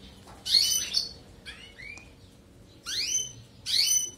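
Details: European goldfinch song used to train canaries: two loud bursts of rapid rising sweeps and chattery notes, with softer slurred whistles between them, over a faint hum.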